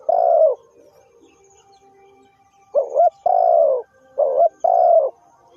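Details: Spotted dove calling, used as a lure for trapping: low, hoarse coos of about half a second, one alone and then four in a quick two-part sequence after a pause, in a quiet setting.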